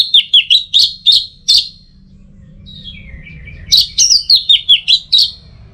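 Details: Orange-headed thrush song for tutoring the teler style: a quick series of sharp, slurred notes, then a lower descending warble, then another rapid chain of clear, bouncy whistles.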